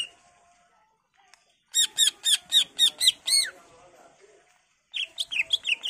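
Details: Greater green leafbird song meant to lure other leafbirds into answering: a fast run of about eight loud, evenly spaced harmonic notes, then a short pause and a second quicker burst of bright descending whistles, over faint background noise.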